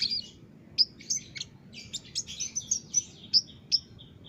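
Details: Lively olive-backed sunbird singing, recorded as a master for training caged birds: a loud opening chirp, then a jumbled series of sharp, high twitters and short whistles, roughly two to three notes per second.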